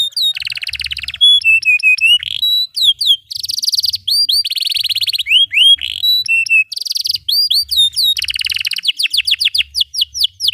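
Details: Caged canary in full, long song, used as a tutor for young canaries learning to sing and for birds that have stopped singing: fast varied phrases of rising whistles, rapid trills and rolls, sweeping upslurred notes, with faint low thumps underneath.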